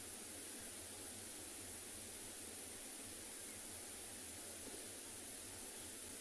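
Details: Steady broadband hiss and static with a faint low hum, no animal calls.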